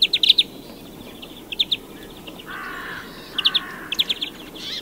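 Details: European greenfinch singing: short rapid twittering trills of bright notes, broken by two drawn-out, buzzy, nasal wheezes lower in pitch near the middle, then more quick trills.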